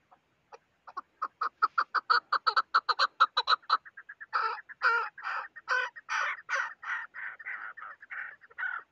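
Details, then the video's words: Chukar partridge calling in a fast clucking run that accelerates into a rapid rattle, then shifts into longer, hoarser drawn-out chuck notes repeated steadily. "shikari king chakor"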